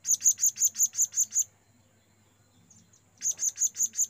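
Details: Blue-crowned hanging parrot calling to companions, used as a lure: a rapid run of shrill, piercing high notes, about six per second, then a near-silent pause before the same sharp series resumes.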